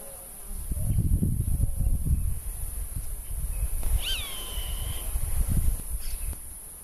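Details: Roadside hawk, known locally as taguato, marking presence by voice and flight while defending its territory. One sharp, slightly falling cry levels into a sustained, harmonic-rich note lasting around a second, over gusty low wind noise.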